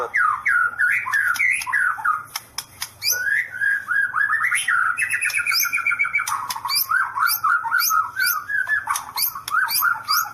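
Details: White-rumped shama singing 'sambaran listrik' (electric strike): loud, rich, varied whistled song of rising and falling slurred notes in quick succession, mixed with sharp clicks and brief high rattles.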